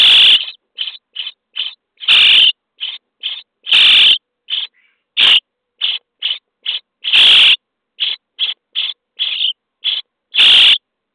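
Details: Common starling nestlings in a nest box on day 23, during feeding. Clipped harsh begging rasps repeat rapidly, interrupted by several loud, sharp bangs and knocks.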